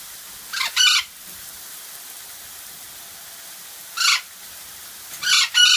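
Golden parakeets give harsh, grating screeches in short doubled bursts, then pause for a few seconds before calling again.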